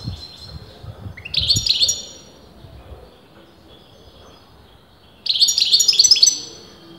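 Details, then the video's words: . Two short bursts of high, liquid twittering come from a European goldfinch, a bird experienced breeders could not agree was male or female. Each burst is a fast run of bright chirps, with a long quiet gap between them. "غناء متواصل لمقنين"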